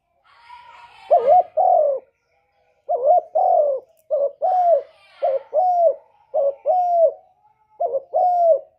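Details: Spotted dove (derkuku) master song, 'kuk 1' style, for luring doves: faint higher chatter at first, then steady cooing phrases, each a short coo and a longer falling coo, repeated about every second.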